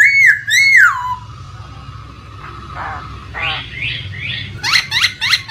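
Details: Laughingthrush used as a lure to coax quiet birds into song: two loud looping whistles falling away, a quiet gap, then scratchy rising notes and a quick series of bright chips, over flowing-water background.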